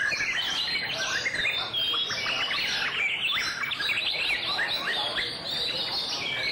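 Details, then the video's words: White-rumped shama giving its display song, a dense stream of varied whistles, clipped chirps and upward flicks repeated without pause, with a constant hiss behind it. "Shama's Song-Display"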